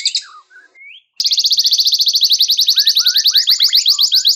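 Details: Canary singing as a training master for white-rumped shamas: a few short scattered whistled notes, then from just after one second a sudden dense, rapid high trill running steadily, with soft lower slurred chirps in the background.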